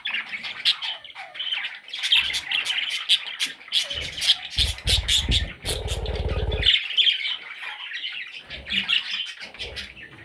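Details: Baby budgerigars beg in bursts of scratchy high chirps, interrupted midway by loud low rumbling bumps, then the chirping resumes.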